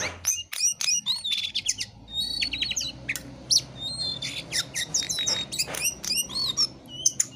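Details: Jongkangan in lively gacor song: quick, varied high chirps, short whistles and clicking notes run together over a steady low hum in the background.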